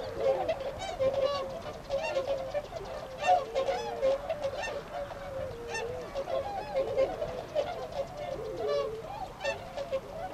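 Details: Wintering tundra swans at Ohotaden retention pond in Azumino, Nagano, Japan, on 22 February 2013, leaving to feed in nearby rice fields; a dense chorus of nasal, bugling honks overlaps continuously from many birds.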